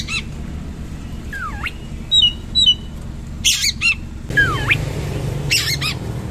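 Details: Oriental magpie-robin singing in a rough, rolling style: scattered, sharp paired whistles, a few downward-swooping notes and harsh noisy bursts, separated by pauses over a low background hum.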